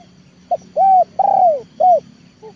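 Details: Trained leopard-type spotted dove used as a decoy to bring wild birds into the yard: a four-note coo phrase with a long sliding third coo, then a faint distant coo at the end, over a humming background.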